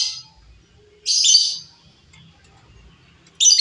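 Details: Wild female lovebird, used to lure or train birds, utters a short rasping high screech between quiet gaps, with the start of another harsh call at the end.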